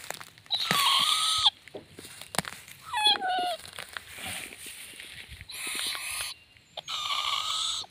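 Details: Owlet giving three harsh, raspy broadband screeches, each lasting about a second and separated by quieter scratchy rustling and a few brief squeaky notes.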